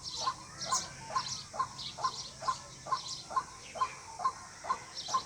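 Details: White-breasted waterhen giving a rhythmic series of short mid-pitched notes about twice a second, a call used to lure birds for hunting, with busy high chirping of other birds behind.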